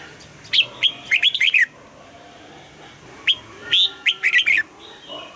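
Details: Red-whiskered bulbul singing its morning double-note song in the mature wild style for voice training: two lively whistled phrases of clustered warbling notes about three seconds apart, with a quiet steady hiss behind.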